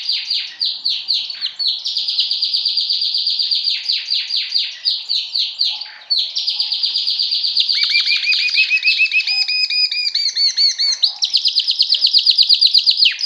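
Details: Male pet yellow Belgian canary (Serinus canaria domestica) singing a long, fast song of rapid trills and rolling chirps.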